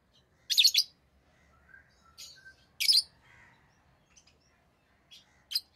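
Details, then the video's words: Rosy-faced lovebird, tame pet, chirping: loud shrill chirp bursts about two seconds apart, separated by quieter scratchy twitters, in a quiet indoor setting. "Rosy Faced Lovebird Chirping Sounds"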